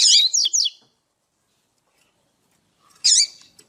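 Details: Female double-collared seedeater call for stirring males to sing: a fast, high twittering burst, a silent gap, then a lone sharp chirp.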